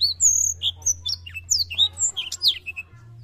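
A black-throated canary sings a rapid, varied run of high whistles, short trills and sweeping notes, over a low steady hum.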